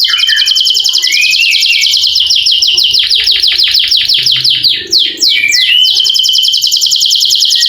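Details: Canary song with long rolling trills, used to prompt quiet canaries to sing: a dense high trill, then a series of rapid descending sweeps repeated about three times a second, brief upward slurs and a renewed high rattling trill.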